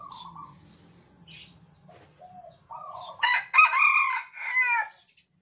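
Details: Captive Sumatran red junglefowl, hand-raised from a day-old chick and kept with cagemates that crow back and forth. Softer cooing notes lead into a loud, harsh, harmonic crow of several rough bursts near the end.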